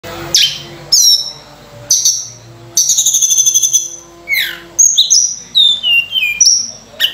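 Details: Sunda robin singing intensely with a rich, varied repertoire, used as a lure to train other birds: sharp high whistles, falling sweeps and quick trilled notes in separate bursts, with brief pauses between phrases.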